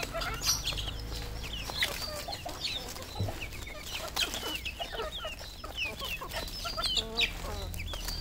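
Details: Red junglefowl kept on a farm in Cambodia, a flock giving many overlapping high chirps and short clucks, with bent whistled notes scattered throughout and a steady low hum underneath.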